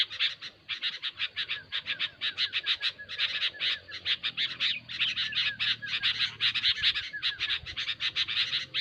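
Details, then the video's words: Loud, busy chatter from sooty-headed bulbul, with rapid rasping notes packed closely together at a steady pace and a faint low hum in the background. "SUARA BURUNG KUTILANG RIBUT"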